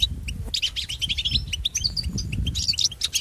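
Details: European goldfinch singing, a recording meant for training pet goldfinches: rapid, dense twittering of high, sharp chirps and short whistled notes, tumbling without pause, over a steady low rumble of background noise.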